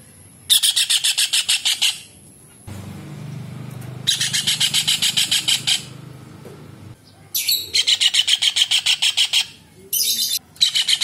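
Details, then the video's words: Kingfisher, known locally as tengkek udang, cekakak or raja udang, calling in full voice as a master recording for training songbirds: four bursts of rapid, harsh, repeated notes, each over a second long, with a low rumbling noise in the gaps. "TENGKEK UDANG / CEKAKAK GACOR / RAJA UDANG Masteran UNIK"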